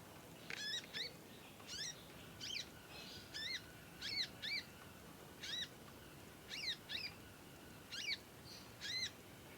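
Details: Young conin learning to sing, chirping at length and singing vigorously, suited for song tutoring; about ten sharp, high descending chirps spread evenly over the clip against a quiet background.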